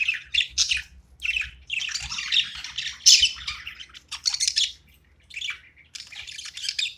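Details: Playing budgerigar chatters continuously in rough, squawky, buzzing chirps and warbles, phrases of half a second to a second broken by short silences, with a faint low hum in the background.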